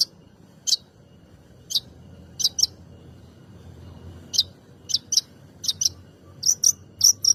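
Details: Long-tailed shrike song meant to provoke other birds into singing: short high sharp notes, single or paired, spaced irregularly over a quiet background with a faint low hum.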